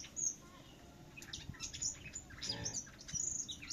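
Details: Finch, a bird kept for singing contests, sings behind a house in Vietnam: scattered high chirps building into quick twittering phrases with thin rising whistles. A soft thud midway and a low background hum.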